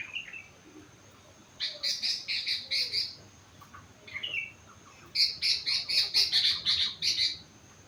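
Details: Sooty-headed bulbul aged four months, singing rengganis and cucak wilis fills: two bursts of rapid, buzzy repeated high notes, each lasting about a second and a half, separated by soft slurred whistles.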